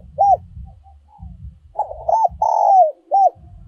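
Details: Spotted dove singing a decoy song in the giọng còi, or giọng kim, style: an arched coo, then a later bubbling run of coos ending in a long drawn note and one short coo, with low thudding underneath.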